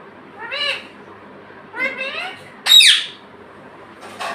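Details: Pet parrot imitating speech: two rising-falling harmonic syllables, then a loud, piercing squawk and a short final burst, spread over about four seconds indoors.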